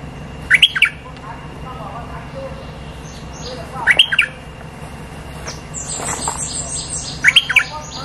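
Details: Streak-eared bulbul song played as a lure to bring in the resident territory holder. Short, bright, chirpy bursts of two or three quick notes recur about every three seconds over a steady low hum, with faint high twittering near the end.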